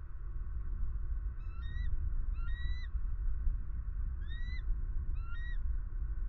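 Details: At a Southwest Florida pond on 23 February 2020, a camera picks up an eagle giving four thin, rising, slightly stammered whistles at irregular intervals over deep, continuous background rumble.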